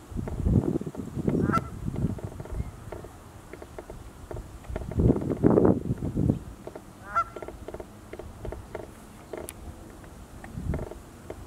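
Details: Cackling geese, possibly a juvenile Aleutian cackling goose, recorded 18 December 2019, give short, yelping honks in loose bursts, roughly two a second, with lower murmuring between and faint background hiss.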